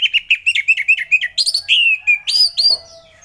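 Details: Ngeplong song of an orange-headed thrush, a fast string of bright, rapid chirped notes running into longer sliding whistles that rise and fall, delivered loud and close against a quiet background.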